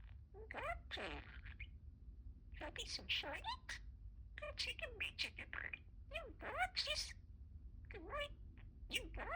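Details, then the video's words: Pet budgerigar talking indoors, phrases such as good morning and you rock, given as quick chattering bursts of sliding, buzzy syllables in runs separated by short pauses, with a soft low hum behind. "Talking Parakeet"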